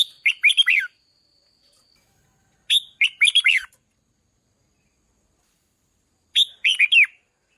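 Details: Red-whiskered bulbul song used to stir decoy birds, three quick phrases of chirpy, tumbling whistled notes with clear pauses between them, a faint steady tone near the start.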